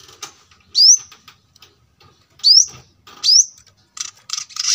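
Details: Brown-throated sunbird, masteran training recording for cage birds: three separate sharp rising whistles, each sweeping quickly upward, with brief high scratchy notes at the end and faint roadside noise.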